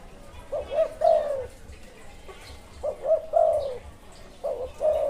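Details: Three repeated coo phrases from a wild spotted dove, each made of two or three short hooting notes then a drawn-out, slightly descending coo, clear against a quiet background.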